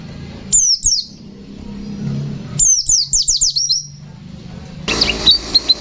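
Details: White-eye in lively 'ngalas nembak' song: a pair of high falling whistles, then a rapid rattling run of repeated down-slurred notes, followed by a noisier section of quick high notes with background hiss.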